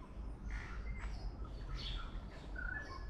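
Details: Tui song from Auckland, New Zealand: a few bright whistled notes and short tonal phrases at differing pitches, spaced irregularly over a few seconds above a low steady background hum.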